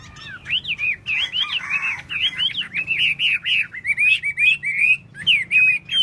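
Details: Tail-dancing Chinese hwamei delivering a fast, continuous stream of rich whistled notes, each phrase a quick up-and-down slur, packed tightly with barely a pause.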